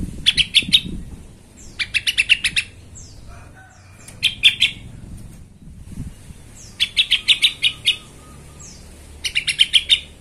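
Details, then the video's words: Sooty-headed bulbul lure recording meant to stir rival bulbuls into song: rapid chattering phrases of sharp, ringing notes repeated every couple of seconds, with soft wingbeat-like rustles and faint background noise. "TRUCUKAN EMOSI BONGKAR ISIAN❗BIKIN TRUCUK LAIN SEKALI DENGAR AUTO KOAR KOAR❗"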